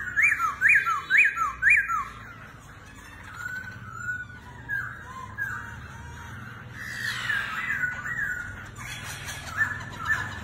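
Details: Laughingthrush said to dance like a circus act, giving four loud, ringing, rising-falling whistled notes at a steady pace, then softer warbled phrases and a burst of harsher, broadband notes near the end.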